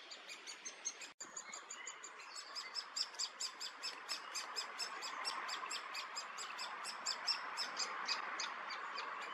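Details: Great spotted woodpecker young being fed, Hannover region, Germany, June 2022: a fast, steady stream of thin, high, repeated chirps, more than two per second, rising slightly in intensity, with a soft rushing outdoor background and one brief click.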